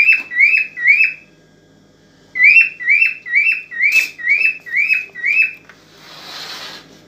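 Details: Aroused cockatiel song meant to prompt a female to mate: brisk strings of bright, down-slurred whistles repeated several times a second, a pause between two bursts, ending with a soft rushing noise.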